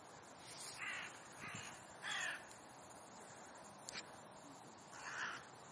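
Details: Crows on a sunny park meadow in Leipzig's Rosental beside the zoo, where people, children and dogs gather: four faint, hoarse caws spaced irregularly, separated by quiet gaps, with soft background hiss.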